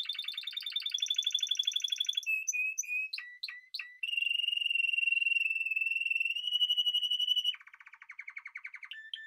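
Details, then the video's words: Spanish timbrado canary performing a flowing song of continuous bubbling rolls and steady, sustained trills, broken by a few quick separate notes, ending with a lower, slower pulsing passage. "Timbrado تغريد جميل الكناري تيمرادو الإسباني"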